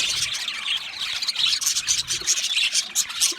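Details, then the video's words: Aviary budgerigars producing a busy wash of high chirps, with a few clearer whistled squeaks standing out over the constant chatter. "Budgie parrot chirping sounds"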